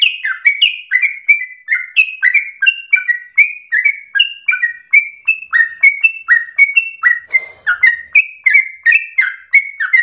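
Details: Sooty-headed bulbul pouring out fast, fiery song meant to stir other birds to sing and teach them: roughly thirty crisp chirps in ten seconds, steady bouncing high-low pairs, one faint rustle midway.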